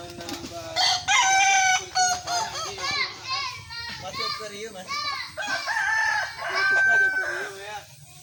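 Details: Several Kukuak Balenggek roosters sparring in crowing: overlapping loud crows with many choppy, stacked syllables, rising and falling, continuing across the whole stretch with short dips between.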